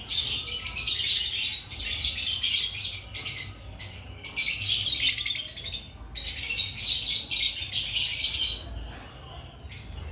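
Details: Lovebirds in an aviary before breeding season, calling in repeated waves of harsh high squawks and chirps, several seconds each, with dips in between.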